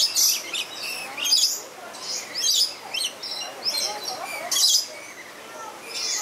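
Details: Lorikeets playing at a zoo in Tampa, Florida, several birds giving harsh, high screeching chirps in short bursts with brief gaps, some softer chatter between them.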